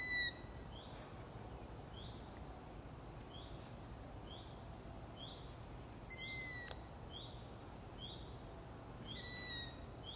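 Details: Several harsh, high squeaks from Long-eared owl owlets at night, repeated a few seconds apart, with a series of short, faint chirps ticking along steadily in the background.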